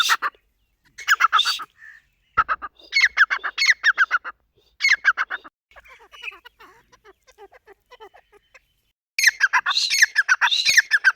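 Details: Grey francolin calling in bursts of rapid harsh notes, each series lasting about a second, separated by short pauses, with a quieter scratchy stretch midway.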